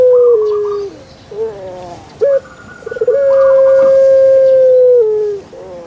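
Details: Puter pelung dove, a kept bird famous on Java in Indonesia, gives a short gurgle and stuttering notes, then a very long sustained level whistled coo that slides down at the end.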